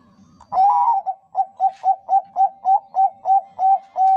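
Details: Zebra dove of the Bangkok type singing a lure song meant to stimulate other doves. A brief low murmur leads into a wavering coo, followed by a string of about ten clipped, evenly repeated coos and a final held note.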